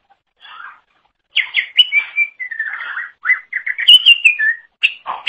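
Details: Cucak ijo (greater green leafbird) singing continuously as a training tutor for songbirds: soft opening note, then loud clear whistles, slurred descending phrases and short chips in varied order.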